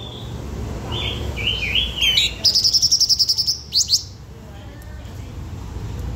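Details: Blue-winged minla lure song used to attract birds: wavering whistled phrases building into a fast trill of about eleven high, evenly repeated notes, ending with two rising flicks over background rumble.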